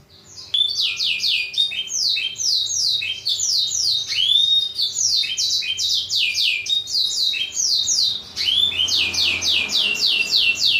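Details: Model song of a black-throated canary for canary training: long continuous run of fast, repeated down-slurred whistles, grouped into rolling trills with occasional lower swooping notes.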